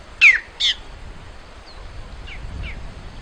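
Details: Great-tailed grackle giving two loud, harsh descending squawks in quick succession, followed by a few faint thin falling notes and soft background hiss.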